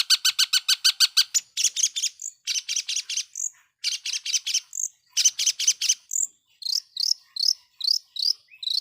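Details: Long-tailed shrike lure song played to provoke other shrikes, made of rapid rattling bursts of harsh ticking notes alternating with brief high whistled slurs, ending in a string of rising squeaky notes.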